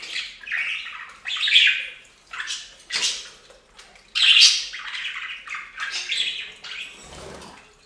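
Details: Budgerigars bathing at a bird fountain, giving a string of harsh, squawky chirps in short bursts roughly every half second to second, with brief quiet gaps and a low splash near the end.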